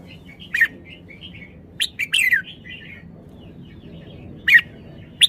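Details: Red-whiskered bulbul uttering loud abrupt chirps with falling whistled tails, spaced irregularly, with faint soft twittering notes filling the gaps over a low steady hum.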